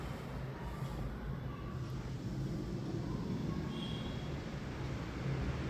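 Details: Continuous low rumble of passing traffic or a train dominates throughout, with a faint steady tone in the background and no animal sound.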